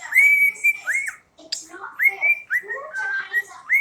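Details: Pet cockatiel performing the whistled tune September: long, pure held notes introduced by upward swoops, a brief pause near the middle, then more level and falling whistles.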